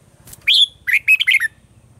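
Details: Red-whiskered bulbul singing in the mature wild-style morning voice used to train caged birds: a quick run of five or six clear, warbled whistles, the first rising and drawn out, over a faint low rumble.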